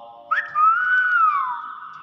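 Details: Talking common hill myna imitating speech, said to say 'bakpao': a brief clicky onset, then one drawn-out pure whistled tone that rises gently, holds, and slides downward over about a second.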